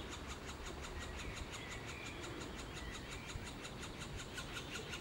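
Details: Middle spotted woodpecker (Dendrocoptes medius) nestlings begging while being fed: a rapid, buzzy chatter of about six high rasps per second over a steady low rumble.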